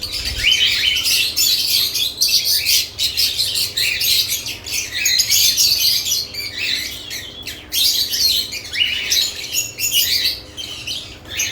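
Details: Several caged lovebirds around new nest boxes produce rapid, scratchy chirps and squawks, about four per second, irregular and overlapping, in a loud continuous chatter.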